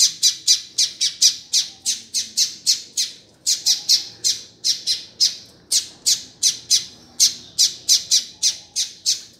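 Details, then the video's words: A double-collared seedeater calls with harsh, high squawking notes, about three per second, steady and evenly spaced, with a brief pause midway; the calls are played to fire up other seedeaters. "COLEIRO CHAMANDO"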